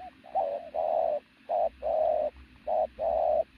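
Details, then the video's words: Pigeon with an athletic build delivers loud, close, deep coos in quick succession, short notes alternating with longer sustained hoots, repeated roughly once a second. "bồ câu tướng lực sĩ,,Gù âm to cực tốt"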